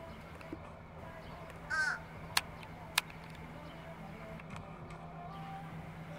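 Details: Fish crow giving a single short, nasal caw with rich harmonics, standing out over a steady low hum and background noise; two sharp clicks follow soon after.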